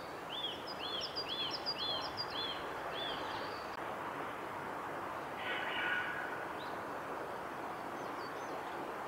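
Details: Female Eurasian siskin at Kawaguchiko Field Center, Japan, 22 March 2020, giving a run of six quick, arched high notes, about two per second, then a brief buzzy note amid steady background hiss.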